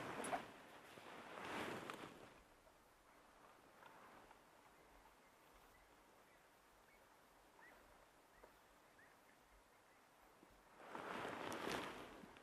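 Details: Two separate groups of francolins alarm calling in the block to the east, at sunset on 21 May 2024 at Rietspruit Game Reserve, Lowveld, South Africa: harsh, grating cackling bursts at start and end, quieter distant calls between.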